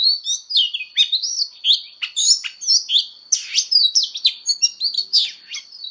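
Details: Oriental magpie-robin in fighting-song voice training, pouring out loud swooping whistles, buzzy notes and rapid chirps almost without pause, over a steady high whine.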